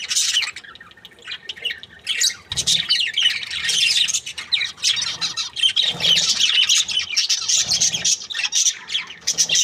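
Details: Budgerigar breeding pair, called happy, keeping up steady buzzy warbling and chattering squawks, with a few brief pauses and occasional soft low thumps.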